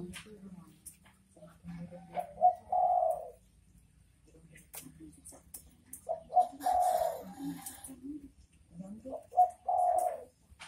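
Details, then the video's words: Spotted dove (derkuku) repeating its bekur bekur phrase about every three and a half seconds: a short note leading into a longer mellow coo, over a quiet background with faint low murmuring. "Suara Burung Derkuku Bekur Bekur"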